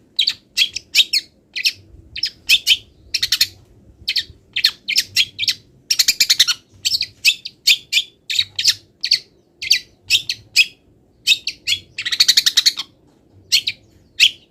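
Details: Moulting long-tailed shrike delivering a song stuffed with mimicked wild bird notes: dense run of sharp, high chips and scratchy bursts in quick succession, with a harsher, louder burst near the end.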